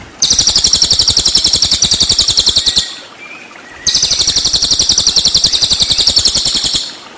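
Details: Cililin singing, recorded to train murai batu: two long, high-pitched buzzing trills of fast, regular pulses, each about two and a half to three seconds, separated by a brief pause with background hiss.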